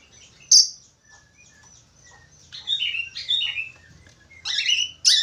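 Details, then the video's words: Chatty budgerigar song of sharp scratchy squawks broken by short downslurred whistles and bursts of buzzy chatter, ending in a loud rasping note. "SUARA SIULAN BURUNG PARKIT AUSTRALI / FALK AUSTRALI GACOR"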